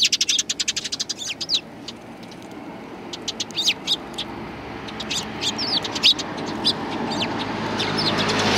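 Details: Sparrows greeting the filmer on 7 April 2020 on the way out, one bird lame in the foot; a rapid burst of chirps at the start, then scattered calls as a rising wash of broadband noise builds.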